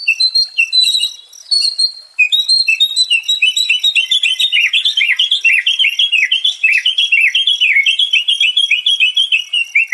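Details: White-rumped shama song, offered as therapy to restore fighting spirit in stressed birds: rapid, continuous chattering of short high notes, tumbling and repeating after a brief opening phrase and a pause near two seconds.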